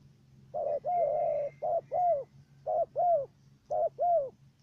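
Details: Trap decoy dove from Cà Mau, Vietnam, cooing in the stuttering 'gù cà lăm' style. One long hoarse coo opens, followed by three pairs of short-then-longer coos about a second apart. A low background hum is present.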